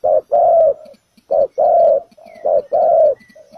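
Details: Trapping decoy spotted dove giving three paired coos, short then long, with soft low coos between and faint high chirps from another bird.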